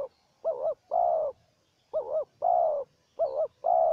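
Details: Spotted doves, a decoy and a wild bird, answering each other: three close phrases of a wobbling two-part coo followed by a longer, louder, even coo, delivered in quick succession.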